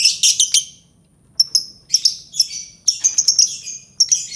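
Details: An albino lovebird chatters in loud, shrill bursts: rapid high-pitched chirps in clusters of three or four, with short gaps between the groups.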